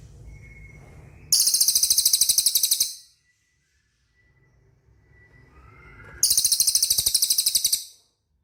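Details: Cililin song for prompting caged birds: two bursts of a shrill, rapid trill, each about one and a half seconds of evenly spaced sharp notes, separated by a quiet gap with low rumble.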